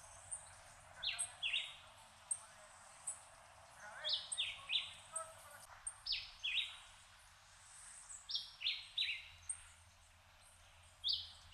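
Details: Puerto Rican emerald (Chlorostilbon maugaeus) feeding its chick, Puerto Rico: short, buzzy, high chips in quick pairs and clusters every second or so, with faint higher tinkling notes and soft background noise.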